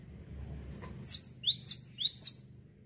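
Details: Over a low indoor hum and a soft click, a cinereous tit starts a run of four rapid, high swooping whistles, each falling then rising, evenly spaced about a third of a second apart.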